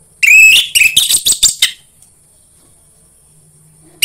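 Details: Orange-headed thrush song used as a lure for other orange-headed thrushes: a long whistle opens a rough, scratchy run of quick notes lasting about a second and a half, then quiet.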